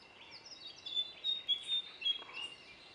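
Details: Bee-eaters in Kumana National Park, Sri Lanka, by the Kumana–Panama–Kudumbigala jungle path, give short, liquid, rolling chirps in quick overlapping bursts, several birds calling at once against a faint outdoor hiss.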